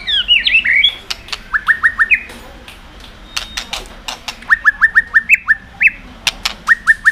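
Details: White-rumped shama song aimed at rousing other birds: quick downslurred whistles repeated in short runs of four or five, broken by sharp clicking notes.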